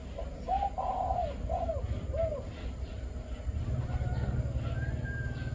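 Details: Spotted dove, a male kept caged for sale in Vietnam, giving the five-note coo style; four low hollow coos, the middle ones longer and slurred, over steady rural background hum and a faint high whine.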